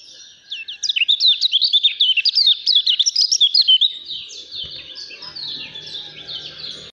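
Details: Lemon-bellied white-eye, a promising contest bird, singing a rapid run of high, sweet twittering notes with sharp up-and-down slurs for about three seconds, then falling quiet amid faint low background rumble and soft distant chirps.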